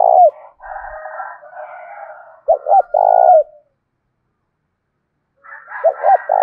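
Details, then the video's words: Fighting coo of a spotted dove in 'thổ' style, meant to agitate wild and decoy birds: low stuttered notes then a long soft coo, followed by a silent gap and another phrase beginning, faint higher chatter underneath. "cu gay kich boi nhanh noi gù tiếng thúc đấu gây úc chế cho chim bổi và chim mồi"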